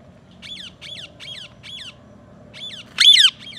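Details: Green ringneck parrot repeating short, harsh, arched screeches about every third of a second, then one much louder grating squawk near the end, over a soft low hum.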